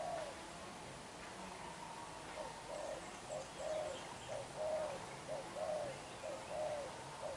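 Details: Young wild-caught spotted dove, black-eyed, cooing fiercely. Faint at first, then a regular string of short low coos, almost one per second, with soft chirping of other birds far behind.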